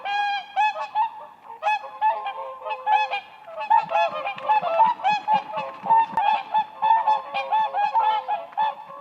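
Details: Whooper swans dancing on ice in spring: short trumpeting honks in spaced bursts at first, then a faster, crowded series of nasal calls from several birds overlapping.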